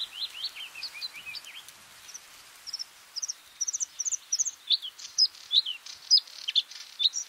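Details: Bluethroat singing a mixed phrase: quick downslurred twangy notes, then paired high chips and a sequence of loud, sharp ringing notes spaced roughly half a second apart.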